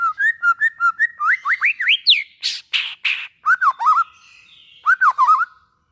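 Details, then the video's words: White-rumped shama singing to stimulate other shamas: a rich, varied phrase of rising and falling whistles, fast repeated notes, then harsh buzzy bursts and twisting whistled notes. "suara burung murai batu buat merangsang bunyi murai batu"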